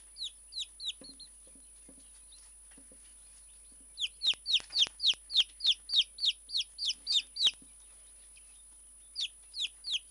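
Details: Hand-tame Silkie chick giving shrill falling peeps, a few scattered ones, then a quick run of a dozen in a row, with faint handling clicks in between.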